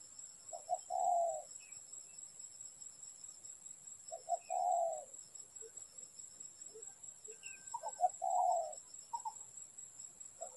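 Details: Spotted dove at a trapping spot. Three mellow low phrases, two quick notes then a drawn-out croo, repeat about every three and a half seconds, with faint chirps and a steady high-pitched hum.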